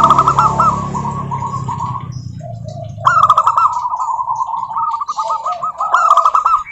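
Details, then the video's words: Local zebra doves, a lure to set other doves singing: two long bubbling, staccato coo phrases separated by a quieter pause, with low rumbling noise early on. "Suara Burung Perkutut Lokal Gacor OBAT MACET BUNYI, pancingan perkutut agar bunyi jamin NYAUT EMOSI"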